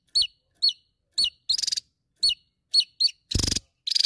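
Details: Javan tesia singing energetically to challenge a rival: sharp, high whistled notes dropping in pitch, repeated about every half second, mixed with loud buzzy pulsed rattles, one very broad and harsh.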